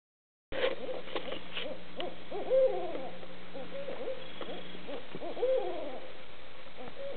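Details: Barred owls calling together at Barnegat, New Jersey, on 26 October 2014: a loud, overlapping chorus of deep hoots and wavering, slurred notes that rise and fall.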